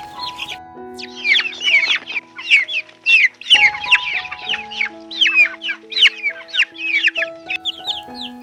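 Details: Small chickens chirping outdoors in nature: dense, rapid high peeping chirps, many overlapping, sliding downward, over steady sustained background music notes.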